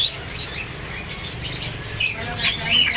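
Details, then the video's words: Parrots give scratchy, buzzy squawks and a couple of sharp whistled rising notes near the end over a steady low background hum. "Parrots Sound | Parrots Cute Voice | Parrot Voice"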